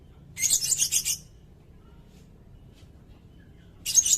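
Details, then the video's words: Sirindet song used for training caged songbirds: a dense, buzzy, high-pitched burst lasting nearly a second, then quiet, then another harsh high burst beginning near the end. "Suara burung sirindet buat masteran bagus juga buat pikat"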